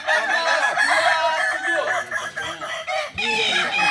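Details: Crowing of several Kokok Balenggek roosters together at a practice gathering in Solok, a dense overlapping chorus of quick stepped syllables that rise and dip continuously, with crowd noise underneath.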